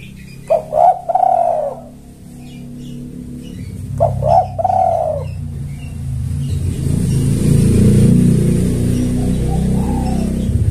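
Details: Spotted dove lure call for drawing in males: two hoarse cooing phrases, each a quick stuttered double note then a long falling coo, the second about three seconds after the first, followed by steady low rumbling background noise.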